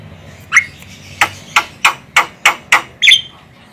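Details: Javan myna female calling, a sound used for luring birds: seven short, sharp, harsh notes spaced irregularly, roughly every third of a second, against low background hiss.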